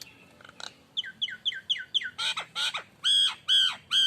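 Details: Nias hill myna lure song from an energetic bird: quick downward whistled notes leading into loud harsh squawks, ending in three long, strong nasal calls.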